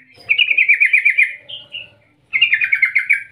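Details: Rolling 'ngerol ngetir' call from a yellow-vented bulbul, used as a lure so other bulbuls start singing. A fast rattle of bright, rhythmic notes is followed by two thinner higher whistles, then another rapid rattled trill after a brief pause.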